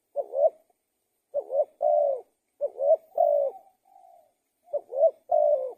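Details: Spotted dove giving four cooing phrases. Each is a short note, a rising coo and a held coo, with a soft faint trailing coo between the third and fourth. The background is otherwise quiet.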